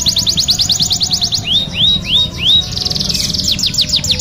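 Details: Canary in full song, offered as a lure: quick high down-sweeping notes, then four slower rising whistled arcs, a buzzy harsh patch, and a return to rapid trilled sweeps.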